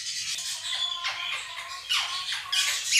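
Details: Two pet monk parakeets give harsh, loud screeches that sweep downward, about three in quick succession, drowning out the steady high warbling chatter of a budgerigar flock on a recording played to them.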